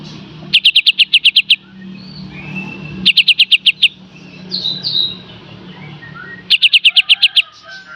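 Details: Kapas tembak song in the full beset and tembak style, used as a master for training cage birds: three bursts of rapid, evenly spaced high chips, about eight each, separated by pauses with faint murmuring and a low hum.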